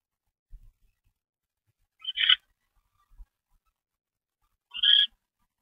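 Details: Barn owl bringing a mouse to its nest box late at night, 10:46 PM, 25 February 2013; two short, harsh, chittering bursts about three seconds apart, separated by quiet with faint knocks of movement.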